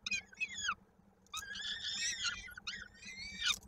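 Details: Peregrine falcon nest in Koszalin, 16 May 2022, a chick's foot caught in a beak at feeding; quieter harmonic wails, two short descending cries, a pause, then a longer strained scream, low hum throughout.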